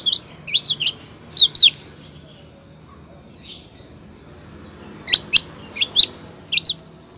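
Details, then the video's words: Long-tailed shrike, a female calling to the male: quick clusters of sharp, high chirps, two or three notes each, in two bursts separated by a quiet gap of about three seconds. "cendet betina gacor manggil cendet jantan"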